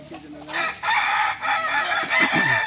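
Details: Balenggek rooster crowing during a practice contest in Ampang Kualo, Kota Solok: a bright, harsh, stuttering crow rising in strength after a short lead-in and ending in quick falling notes.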